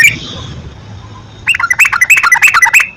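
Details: Yellow-vented bulbul lure song to spur captive birds into song: a faint opening note and background hiss, then after a second and a half a quick sequence of bright, bouncing chattered notes.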